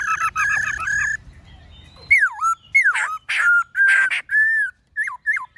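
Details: Singing in the wild 'forest voice' manner, a black-throated laughingthrush starts with quick chattering notes, then gives bold swooping whistles and steady clear tones in a lively, varied sequence.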